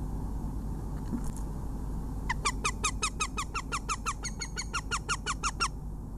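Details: A female Northern Goshawk in her Latvian nest, with crows nearby, on 21 February 2017 at 11:17, gives a fast run of about eighteen harsh, downslurred kek notes over three seconds, above a steady low hum.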